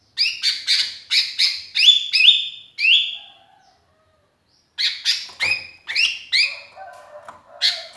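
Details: Sooty-headed bulbul, a lonely bird calling to companions and used as a lure, gives quick bursts of bright chirps, then a slurred falling whistle, a pause, and another chirping run.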